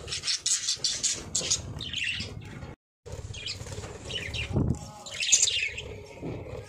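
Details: Budgerigars in a breeding setup chatter in quick, scratchy chirps and warbles with a faint low rumble underneath.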